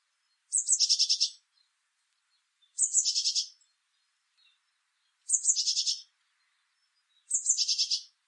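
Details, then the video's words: A Eurasian blue tit sings four times, about every two seconds, each phrase two thin high notes running into a fast, bright, slightly buzzy trill. "Blue tit song and calls"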